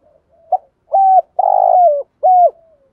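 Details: Spotted dove used as a decoy bird, cooing in the early morning in a calling style; a short soft lead note, then three clear mellow coos, the middle one longer and slightly wavering, in clean quiet surroundings.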